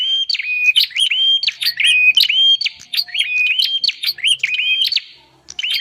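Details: Bar-winged prinia lure call: a fast chattering run of clear level whistles that each snap upward, mixed with dry clicks, fading briefly near the end before resuming.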